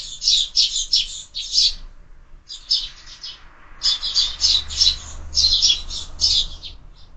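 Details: Several sparrows busy at a window feeder in the morning, birds fed year-round; loud chattering chirps delivered in dense rapid runs, broken by brief gaps, with a faint low hum beneath.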